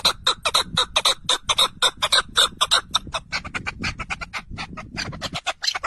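Partridge giving harsh, rasping clucks in a fast, uneven stream, about two notes a second, with some notes overlapping as if several birds call together.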